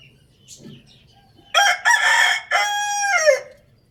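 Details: Rooster crowing loudly, a close, harsh, rasping cock-a-doodle-doo in three parts over about two seconds. The final part is sustained, then slides downward. Faint chirps come just before.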